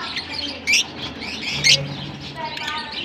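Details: Larkana lovebirds: two piercing, high squeaky chirps about a second apart stand out above continuous busy twittering from other birds.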